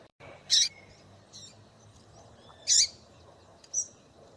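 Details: Female double-collared seedeater calling to stir a male into singing: two loud, sharp, high chirps about two seconds apart, with fainter chips in between over a low steady background hum.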